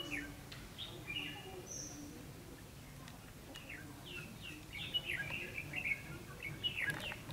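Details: Red-whiskered bulbul at a decoy trapping site in Vietnam; scattered sliding whistles early, then a lively run of quick warbled notes near the end, with soft background noise.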